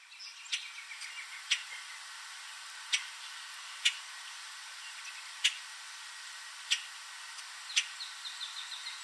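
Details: Common Grackle calling while perched in a backyard tree late in the evening in Southern Ontario, Canada: sharp, loud clicking chips spaced about a second apart, with faint softer bird notes from other birds in the background.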